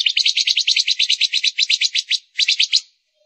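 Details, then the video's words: Female silver-eared mesia used as a lure bird gives a rapid, rasping trill of evenly repeated pulses for over two seconds, a brief break, then a shorter burst of the same. "Tiếng chim Ngũ Sắc mái hót, Chim Ngũ Sắc mồi"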